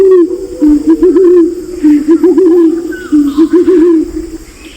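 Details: Lure calls of a Pinon's imperial pigeon pair, male and female, meant to gather birds: deep trilling coo phrases that waver up and down, repeated about every second.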